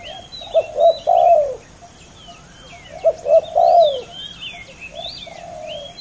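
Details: Rival male spotted doves in a fierce duel, each phrase of two short coos and a long descending croaky coo, repeated about every two and a half seconds, while other birds chirp high and thin behind.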